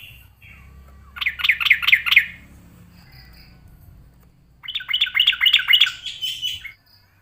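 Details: A yellow-vented bulbul sings back at a rival in an agitated, combative mood. Two loud phrases of fast, liquid, tumbling notes are separated by a few seconds of near silence, with a soft low drone in the background.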